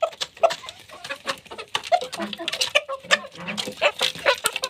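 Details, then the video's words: Chickens eating: brief murmured clucks and a few higher squeaky notes mixed with crisp pecking clicks throughout. "chickens eat sound effect"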